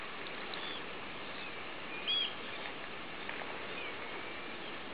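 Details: A Long-billed Dowitcher at Freiston Shore on 1 October 2011 gives one sharp, high, slightly arched keek note over steady wind-like rushing noise.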